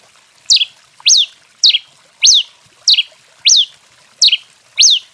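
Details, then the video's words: Rufous-collared sparrow singing the style called canto 21, described as fired up: sharp high notes about every 0.6 seconds, alternating a stepped falling note with a quick rising-then-falling slur, over a faint background hiss. "TICO TICO REI CANTANDO DEMAIS! CANTO 21, ESQUENTADO!"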